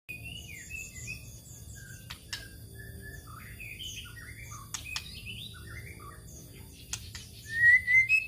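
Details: White-rumped shama lure song, meant to provoke other birds: varied whistled and slurred phrases with scattered sharp clicks, ending in a loud rising whistle, over a low background hum.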